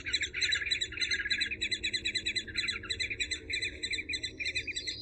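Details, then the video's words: Eurasian hobby (Falco subbuteo) calling: rapid, sharp ringing notes in dense bursts, roughly three per second, with a steady low hum underneath. "Suara Masteran Burung Alap-alap Walet"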